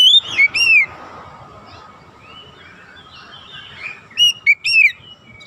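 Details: Oriental magpie-robin from a training recording for young birds, aimed at a rapid 'nembak rapat' style. Brief pairs of sharp, clear whistles open and close the passage, with soft twittering and background hiss in between.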